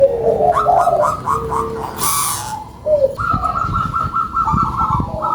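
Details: Local zebra dove, described as singing actively with a big voice: a quick run of short, bubbly coos near one pitch, a second run after a pause, with overlapping lower coos and a brief hiss in the middle.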